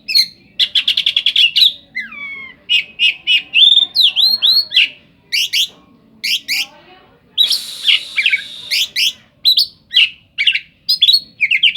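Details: Oriental magpie-robin in full song, loaded with isian imitations that recall the cetdet bird. Quick repeated chips, curving whistled slurs and high thin sweeps run continuously, broken by a short harsh buzz near the middle.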